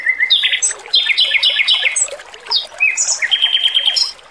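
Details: Melodious male Oriental magpie-robin training song: a level whistle, then a descending series of rich repeated slurred notes, short sharp chips and a sustained high whistle, water trickling softly under it.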